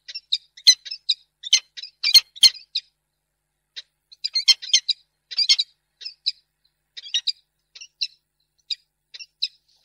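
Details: Female peregrine falcon refusing a gift, recorded in Reda on 10 March 2022: rapid bursts of short, sharp chipping notes, clustered in quick runs with brief pauses between groups, and no other clear sounds.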